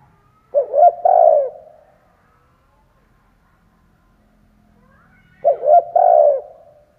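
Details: Decoy spotted dove cooing to draw in wild birds: two low phrases about five seconds apart, each a rapid pair of clipped notes followed by a sustained, gently falling coo. Otherwise quiet.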